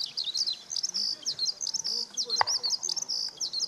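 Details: Skylark song recorded on a clear June 5, 2013 at the fourth car park of Okayama Airport, Japan, using a Lumix DMC-FZ150; unbroken high twittering with quick slurred whistles and trills, and one short sharp click midway.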